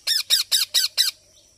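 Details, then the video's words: Baby parrot calling: five short harsh squawks in quick succession, each with a bright arched harmonic stack, about a quarter second apart, then quiet with a faint steady high tone in the background. "Baby Parrot Natural Sounds | Parrot Calling Sounds"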